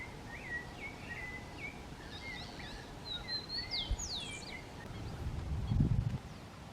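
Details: Brazilian teal (Amazonetta brasiliensis), tagged as an urban Atlantic Forest bird, giving quick, high, rising whistled notes, several each second, some sliding sharply upward, over a low background rumble.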